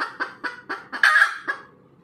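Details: Red junglefowl cackling after laying an egg: five evenly spaced clucks, a longer harsh squawk, then a final cluck before the calling stops.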